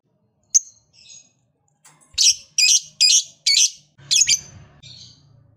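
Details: Lovebird calling with a single sharp note, then a quick burst of five scratchy, high chirps and a softer trailing one, against a faint low hum; the calls serve to spur other lovebirds to sing.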